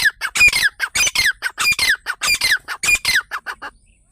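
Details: Grey francolin, used as a hunting sound, giving loud harsh squawking notes in a rapid, slightly irregular run of about 20 bursts over four seconds, each burst sliding downward, ending abruptly with quiet.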